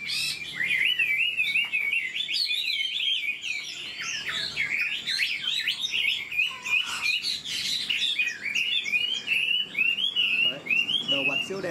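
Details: Long unbroken song of an old wild-caught Chinese hwamei in a cage: rich, fluid whistles tumbling quickly up and down, with rapid trills and slurred phrases throughout.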